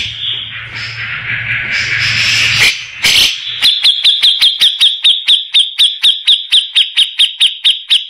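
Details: Grey-cheeked bulbul tutor song for training magpie-robins, valued for its rough voice: a noisy harsh opening, then a steady train of sharp chipping notes, about two per second, at an even high pitch.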